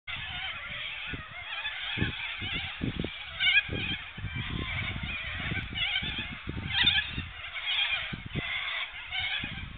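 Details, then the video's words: Cockatoos at a campsite keep up a constant chorus of harsh, raspy screeches, several birds overlapping, with low thumps and rumbles of wind or handling underneath. "Kamperen met cockatoos"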